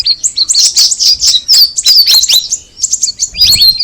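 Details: Brief burst of Sooty-headed bulbul song: quick high chirps and sweeping whistled notes, a short lull near the middle, then a rising-and-falling whistled phrase at the end.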